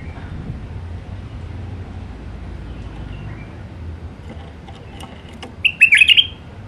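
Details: Wild Iraqi bulbul (White-eared bulbul) in the Alwazi song style: a long quiet stretch with low hum, then a single sudden, bright bubbling phrase of rapid slurred notes.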